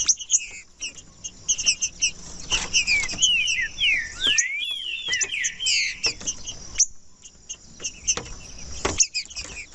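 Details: Green-winged saltator singing, played to warm up a cold saltator and get it singing, a practice among breeders entering singing tournaments: loud, clear whistled notes sliding down in quick phrases, among sharp clicks and rustling.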